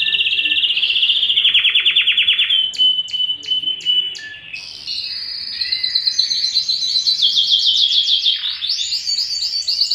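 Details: Yellow canary song mixing a fast trill, a few spaced clicking pulses and a long, slightly rising warbled passage, all loud and continuous.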